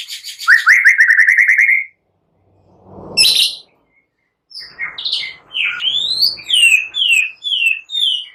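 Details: White-rumped shama song used to stir other birds to sing, said to carry cililin and prenjak phrases; opens with a rapid rattling trill, then a harsh burst, then a run of loud swooping whistles.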